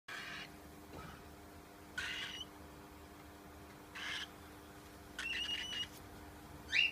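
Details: Baby cockatiel giving short raspy hissing-chirp bursts about every two seconds, with a longer broken buzzy call near the end and a steady low hum behind.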